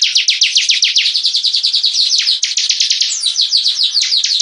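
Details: Energetic 'gacor' song of a hobby-kept bar-winged prinia, an unbroken stream of high, slurred chirps that shifts midway into slightly more varied, twisting notes without pause.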